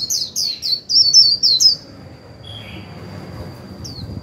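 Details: 'Líu' song of a decoy white-eye aimed at stimulating wild birds: about eight fast, high, descending chirps in under two seconds, followed by quiet with one lower note and a final single chirp.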